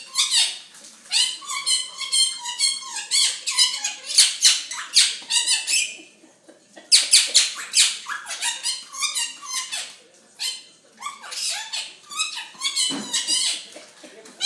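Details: Pet quaker parrot (monk parakeet) indoors in a small room, excited as a nurse puts on gloves: dense bursts of harsh, buzzy chattering screeches in rapid volleys, with short breaks near seven and ten seconds.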